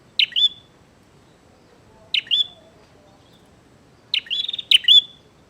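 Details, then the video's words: Bar-winged prinia singing actively to challenge a rival to fight: three bursts of sharp, high chirps spaced about two seconds apart, the last burst a rapid stuttering series. Soft low rumble in the background. "SUARA BURUNG PRENJAK GACOR NGAJAK TARUNG"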